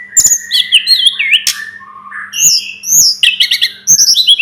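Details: Tledekan gunung, the Sunda robin, delivers a lively medley: wavering whistles, a low slurred note, bright rising chirps and a closing rush of quick high notes, with little pause between them.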